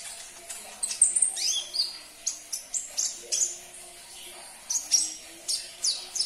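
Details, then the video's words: Sunbird song played to stir a caged bird to sing: rapid high chirps and steeply falling whistled sweeps, repeated in short bursts across the clip with brief gaps, faint low hum beneath. "Putarkan 1 menit saja video ini KONIN anda pasti langsung nyaut"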